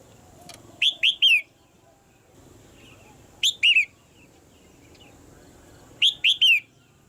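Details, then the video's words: Female red-whiskered bulbul in a cage, her calls meant to make the male sing harder: three bright, upward-sliding whistled notes in quick succession, the phrase repeated about every two and a half seconds. "นกหัวจุก birds - เสียงนกตัวเมียในกรง กระตุ้นให้นกตัวผู้ร้องหนักขึ้น"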